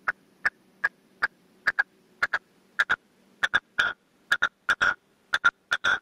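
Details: Caged male red-legged partridge used as a hunting decoy, singing its 'canto de mayor' with four to five beats to call wild partridges: loud, harsh, clipped chuck notes in pairs and triplets, roughly one burst per second, some longer rasping notes near the end.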